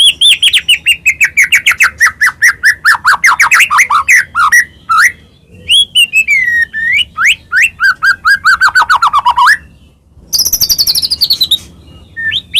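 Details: A white-rumped shama of the Medan type delivers full, varied song to excite other shamas: long runs of rapid trills sliding down in pitch, looping whistles, and a very high buzzy trill near the end.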